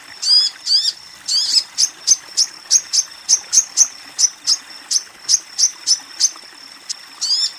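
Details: Crimson sunbird female calling to a male, meant to stimulate untrained or silent birds; a few squeaky sweeping notes, then a long, fast, even train of sharp high ticks about every quarter second.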